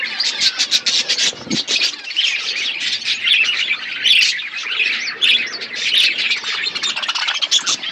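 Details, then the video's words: Chirping from a budgerigar colony setup, many birds calling at once in a steady wall of high, buzzy warbles and sharp chirps that never pauses, with one low thump early on. "Budgies colony setup birds chirping sound"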